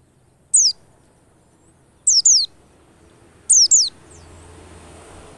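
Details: White-eye lure sound meant to get white-eyes singing fast: thin, high descending chirps, first single and then in quick pairs, three bursts in all, followed by a steady soft hiss.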